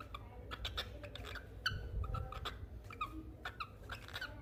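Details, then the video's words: Cockatiel, described as a talking bird, giving a quick run of short chirps and whistled notes with bright harmonics, irregularly spaced, over a low background rumble. "Talking Bird || Cocktail Bird talking"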